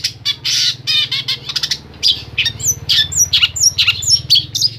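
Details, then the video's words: Long-tailed shrike from Pemalang, Central Java, singing in rapid bursts: harsh, scratchy squawks mixed with thin whistles and sharp chirps, with mimicked phrases from other garden birds. "CENDET ISIAN SEKEBON"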